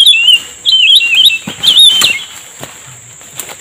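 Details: A Black-crested Bulbul, recorded during lure-trapping by a river at high tide, gives quick, bright warbled phrases that rise and fall, then fades after two seconds, over a steady high insect hiss. One bird was caught.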